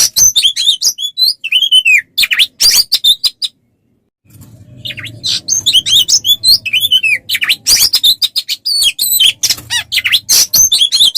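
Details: Kacer (Oriental magpie-robin) tutor recording for songbird training: rich mix of curved whistles, chips and harsh notes, a brief silence, then more song over a low background hum.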